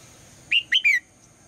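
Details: Female red-whiskered bulbul calling in the morning to get the male to sing: one quick phrase of three bright, slurred whistled notes, the last sliding downward, over a faint steady high hiss.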